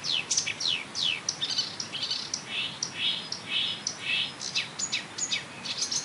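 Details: Wild marsh warbler singing by a railway embankment at Bernau-Friedenstal in May 2013, mimicking tits, blackbird, lark, goldfinch and starling: a rapid, varied stream of high chirps, down-slurred whistles and buzzy trills over a steady background hiss.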